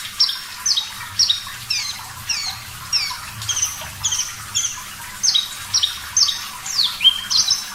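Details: Javan bush lark, branjangan parva, singing steadily for caged-bird training: a fast string of clear high whistles, each falling in pitch, with some doubled notes and a lower-pitched swoop near the end, against soft water sound.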